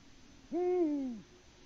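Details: Lone male Eurasian eagle-owl in Latvia hoots unanswered for a mate on a March 2019 evening, captured by a nest webcam: one resonant low hoot, steady then sagging downward, with quiet hiss around it.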